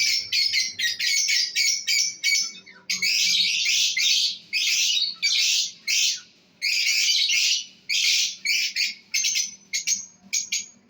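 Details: Lovebird breeder pair calling: harsh, rasping squawks in quick bursts, some long and grating, interspersed with brief high chirps, nearly continuous throughout.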